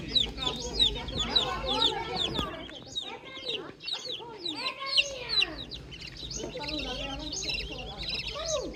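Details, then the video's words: Morning farm chicks peeping steadily, quick high chirps flicking downward in a crowded chorus, joined midway by a few lower, arching calls and a brief sharp knock. "Calm Chick Chirping Sounds"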